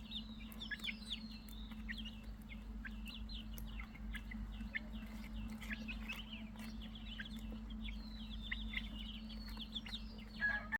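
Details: Many chicks keep up a steady chorus of thin, high chirps, some rising and some falling, overlapping nonstop over a persistent low hum.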